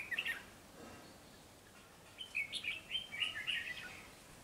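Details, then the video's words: Wild-caught red-whiskered bulbul singing eagerly and fast: a short bright chirpy burst, then after a pause a run of quick whistled notes lasting over a second, with faint background hiss. "Chào mào bổi siêng cầu tốc độ mỏ tốt"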